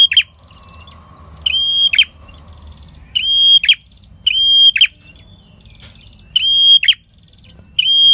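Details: Prenjak kepala merah, a red-headed prinia, singing ngalun for luring wild prinias: repeated sustained high whistles, each closed by a short grating buzz, with faint softer chips between phrases.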